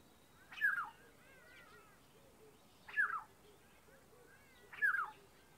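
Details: Black-headed oriole in a South African garden tree, giving its loud, liquid call: three short slurred whistled notes, each falling, spaced about two seconds apart, with soft bird chatter behind.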